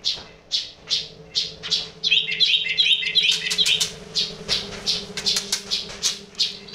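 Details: Yellow-vented bulbul with an unusual sound: rasping chirps about every half second, broken by a short run of clear twittering notes in the middle, over a low background hum.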